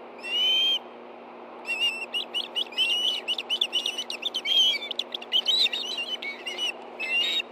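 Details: Excited Ospreys on a nest in Hellgate Canyon, Montana, 24 August 2013 at 10:46 a.m., as a fish is brought to two hungry birds: one clear whistle, a pause, then a fast, jumbled run of high chirps and squeals.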